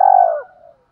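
A spotted dove gives a single low, hollow coo that holds steady, then dips and fades into a softer trailing note. No other sounds.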